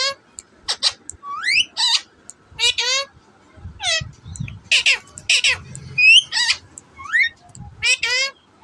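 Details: Parrots at a Karachi Sunday bird market, kept caged; a rapid series of harsh, rising and falling squawks and chattering bursts, some whistled upsweeps, with faint low murmuring in the background.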